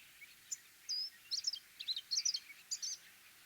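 An orange-breasted sunbird gives high, thin, metallic chips and short twittering bursts, about a dozen notes in quick clusters over three seconds, against faint background hiss.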